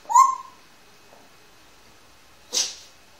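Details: Pet grey parrot, one year old, kept indoors at home: a single short whistled note rising then holding steady, followed after two seconds of quiet by a brief harsh, noisy burst.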